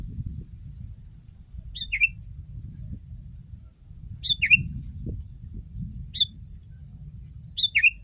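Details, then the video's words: Sooty-headed bulbul singing as a training model for other bulbuls, repeating a quick bright two-note phrase about every two seconds, the second note dipping and rising, over faint low background noise. "Masteran kutilang!!!kutilang paling dicari untuk membuat burung kutilang anda langsung ikut berbunyi"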